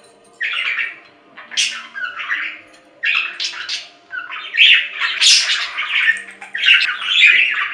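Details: Budgerigar warbling in bursts of scratchy, buzzy chirps and squeaks, with some phrases rising sharply, separated by short gaps and continuing steadily.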